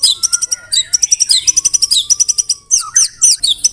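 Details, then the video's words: White-rumped shama singing a fast, varied song with imitated canary and cililin phrases, rapid high chirps repeated several times a second alongside sweeping whistles. "MURAI BATU ISIAN KENARI, CILILIN SUPER NEMBAK"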